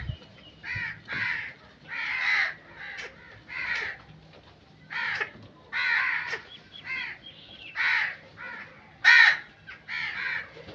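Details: Harsh crow caws repeated roughly once a second, about ten separate raspy notes, each short and grating, over a quiet background.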